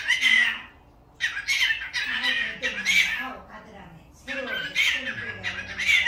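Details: Pet cockatiel kept at a family home, its voice said to resemble a human voice: harsh squawking bursts centred high, in runs of about a second, broken by a pause, with lower speech-like harmonic warbling underneath, indoors.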